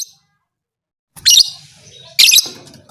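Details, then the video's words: A lovebird gives two loud, harsh, high chattering bursts about a second apart, said to spur other lovebirds into fighting, with faint low murmuring between calls. "Suara burung lovebird ini 100% merangsang lovebird lain Jadi Fighter"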